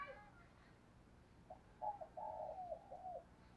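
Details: Spotted dove used as a decoy bird, calling in the morning: a low, soft cooing phrase of several short notes building into a longer rolling coo, with a faint higher call at the start and quiet background noise.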